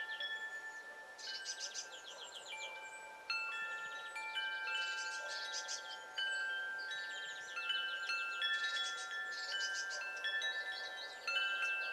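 Metal wind chimes ring out in overlapping bright tones with long sustained notes, and no animal voice can be heard.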